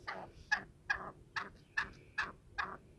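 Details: Free-roaming black francolin uttering rasping, clipped notes roughly every 0.4 seconds, each a short harsh burst, over low background noise.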